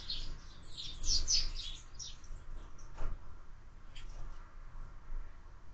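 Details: Sparrows feeding at a window-mounted feeder give quick, high, scratchy chirps in an irregular flurry, several birds at once, over a low steady rumble of background noise.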